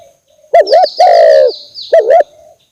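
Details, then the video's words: Spotted dove coo used as a bird lure: a dipping double note, then a long level coo, then another dipping double note, with a thin high whistle-like streak above during the first half. "suara pemikat burung tekukur"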